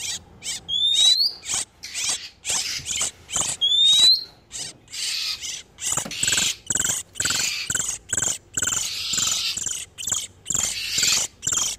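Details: Oriental magpie-robins in breeding condition, male and female, a trapping lure for wild birds: two bright upward-sliding whistles among many short rasping bursts, then a steady stream of harsh scratchy notes.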